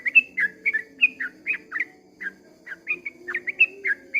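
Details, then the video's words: Yellow-vented bulbul in a long dawn song: quick bouncy pairs of whistled notes, a brief lull near the middle, then the rapid series picks up again over a quiet low hum. "kicau suara trucukan ropel panjang di waktu fajar"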